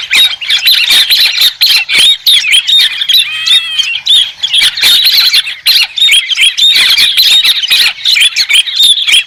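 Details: White-crested laughingthrush, clean recording with no background noise: a continuous noisy chorus of harsh cackling and chattering, broken by brief slurred whistles, sustained throughout.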